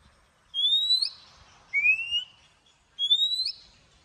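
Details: Oriental magpie-robin giving its morning song in the forest-voice style with long drawn notes, used to train birds: three clear, rising whistled notes, each ending in an upward flick, spaced about one to two seconds apart, over a quiet background.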